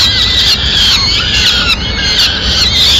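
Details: Peregrine falcon mother bringing food to chicks, Madrid, 29 April 2016; loud, harsh screeching with wavering, slurred notes that continue almost without pause.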